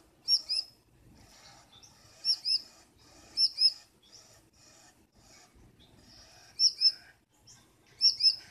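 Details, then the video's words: Female Gouldian finch inside the nest at night, fussing at her blue mate and making him wait to come in; sharp high double chirps repeated in clusters, roughly every one to two seconds, with faint rustling. "Gouldian female being dominate from nest"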